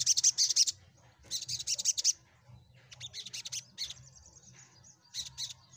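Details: High, buzzy chattering of an olive-backed sunbird, meant to prompt silent birds to answer and sing. Dense bursts of quick notes come first, then softer scattered trills and a few isolated chirps, all over a low steady hum.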